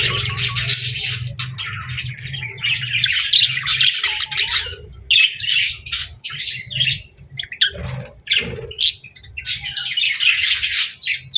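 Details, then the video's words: Happy pet budgerigar, friendly and playful, chirping and singing in close-up; dense bright warbled chatter with quick twittering notes, running almost continuously and pausing briefly before resuming, with a faint low hum underneath. "Happy Budgie Sounds"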